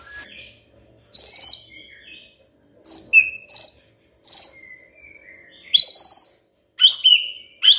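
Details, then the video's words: Magpie-robin song played to prompt a silent bird into singing: short, very high chirps and slurred whistles in separate bursts with pauses between them. A few longer, lower whistled notes come in near the middle. "Pancingan Murai DIAM Agar Rajin Bunyi"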